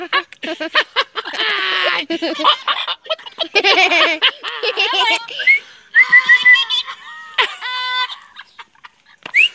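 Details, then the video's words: Pet parrot, said to always want coffee, talking: rapid harsh speech-like phrases in bursts, then a few clear rising whistles and stacked tonal notes near the end, while a person repeatedly asks it whether it wants coffee. "PAPAGAIO FALANDO QUER CAFÉ"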